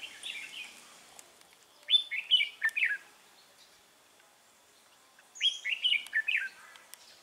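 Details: Decoy Red-whiskered bulbul in a trapping session on 3 November 2018 delivers its fighting song: two loud bursts of rich, rolling warbled notes about three seconds apart, with faint clicks and soft background notes.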